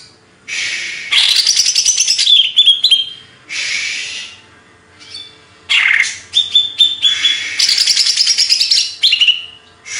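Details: Greater green leafbird from Banyuwangi, Indonesia, in hyper singing form: loud bursts of harsh, buzzy chatter alternating with clear, sliding whistled notes, delivered in long rapid phrases separated by short pauses.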